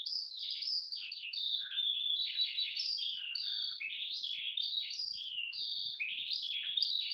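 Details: A Eurasian skylark in Hungary, a species that sings while flying high, gives a continuous, high, rapid stream of warbling trills and whistles, changing pitch constantly without pause; no other sounds intrude.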